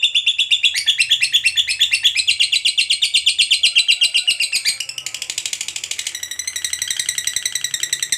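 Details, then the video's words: Fighter lovebird in long ngekek chatter meant to stir other lovebirds to respond: a sustained, rapid, squeaky rattle that drops slightly in loudness midway and shifts to a finer, buzzier texture, continuing without a pause. "KICAU LOVEBIRD GACOR NGEKEK PANJANG Bangkitkan EMOSI, Lovebird Yang DENGAR Nyaut BUNYI Seketika"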